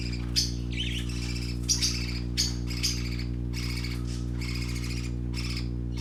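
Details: Playing parakeet babies utter harsh, buzzy squawks in quick succession, roughly two per second, with a brief rising whistle early on and a continuous low mechanical hum behind.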